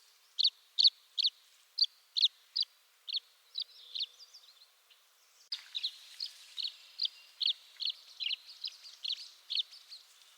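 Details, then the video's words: Tree swallow (Tachycineta bicolor) calling in eastern North America: a series of short, bright chirped notes about twice a second, then, after an abrupt break, a denser, faster run of similar chirps over faint background hiss. "Tree Swallow Call"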